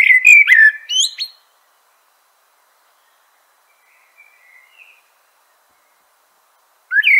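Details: Common blackbird (Turdus merula) delivering a rich warbled phrase with high squeaky twitters, followed by a long silence and the start of the next whistled phrase.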